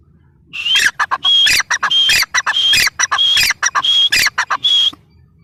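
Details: Grey francolin calling loudly: harsh, clipped notes run into short high whistled elements, about seven phrases packed into five seconds and repeated at a rapid, uneven pace, with no other sounds behind them.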